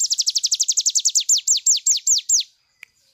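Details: Full 'nembak' song of a cigun bird, meant for training other birds: a very fast trill of downslurred high whistles that slows into fewer, longer sweeping notes, then stops, leaving a single faint tick.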